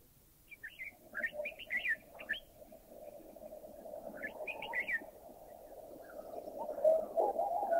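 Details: A Red-whiskered Bulbul in a Thai national park gives short bursts of bubbly, liquid whistled notes in quick phrases, over a steady background hum.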